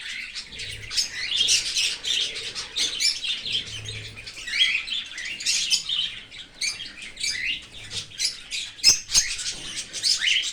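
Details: Cockatiel parent feeding a baby from outside the nest in an open aviary. The chick keeps up a long, rapid, scratchy begging chatter in pulsing bursts, with a couple of sharp clicks late on.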